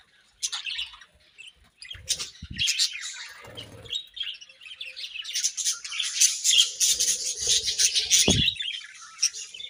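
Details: Budgies in breeding season: after a quiet start, scratchy chirps build into a dense, lively warbling chatter of high squeaks and clicks, with occasional low knocks and thumps from the cage.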